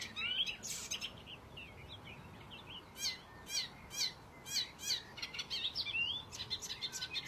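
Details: A wild oriental reed warbler sings in its natural habitat: scattered harsh, chattering notes and short bursts recurring about every half second toward the end, set against steady broad background noise.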